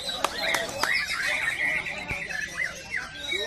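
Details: White-rumped shama singing in a contest at Tapaktuan: a run of clear whistled notes, some held and some sliding or warbling, broken by a few sharp clicks, over a steady murmur of crowd voices.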